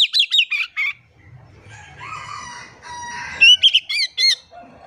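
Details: Oriental magpie-robin used as a lure to make silent birds sing: quick repeated falling notes, a gap with a lower drawn-out harmonic sound, then several bright whistled notes.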